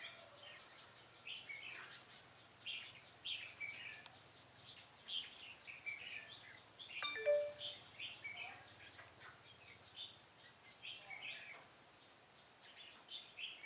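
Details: Red-whiskered bulbul kept as a decoy bird for trapping wild bulbuls, giving short bright warbled phrases of clustered chirpy notes in quick bursts, roughly one every second, over faint steady background hiss.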